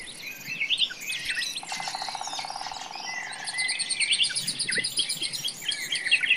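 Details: Nightingale in a forest mixing high whistled and chirping phrases with a low, rapidly pulsed rattle in the middle, among a chorus of other small birds.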